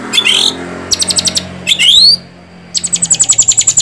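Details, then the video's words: Short bursts of white-rumped shama song: upslurred whistles and quick series of repeated high clipped notes, with a faint low hum behind. "Suara Burung Murai Batu"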